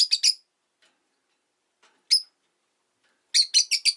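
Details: Rosy-faced lovebird chirping through a calm afternoon: a burst of three high, sharp chirps, a long pause, one lone chirp, then a fast run of four more.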